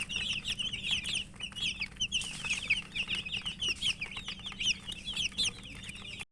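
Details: Domestic chicks (murgi) peeping while eating; a dense flock of high, short chirps overlapping continuously throughout, with a faint low hum underneath.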